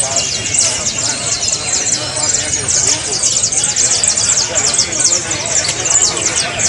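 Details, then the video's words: Saffron finches singing, used to encourage a cage bird to sing: high, crowded chirping with repeated quick downward notes running without pause. "SI TU CANARIO NO CANTA:(... COLOCALE ESTE AUDIO EN CANTO Y SERA EL MEJOR:) (SICALIS FLAVEOLA)"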